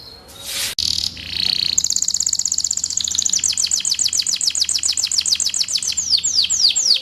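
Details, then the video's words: Canary singing: a few short buzzy and tonal notes, then a long fast rolling trill of repeated high notes that shift into a series of sweeping downward-slurred whistles, with a low background hum. "Canario cantando. Canary singing"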